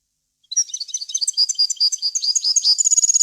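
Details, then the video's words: Clean European goldfinch song in a varied wild language, played to train young birds. After a brief pause, a continuous stream of high, quick, chattering twitters begins and grows brighter toward the end. "غناء طائر الحسون ، صوت صافي وخالي من الاخطاء لتسميع الفراخ"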